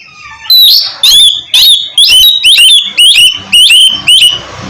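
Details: Steady series of eight evenly spaced, loud strident notes from an oriental magpie-robin in the 'ngeplong' song style, played to prompt reluctant birds to start singing.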